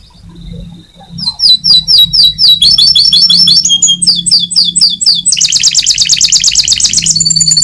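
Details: Loud champion canary in full song, building from a soft start into fast, piercing, repeated high trills that shift through several rapid phrases, ending in a dense rattling roll over a low steady hum.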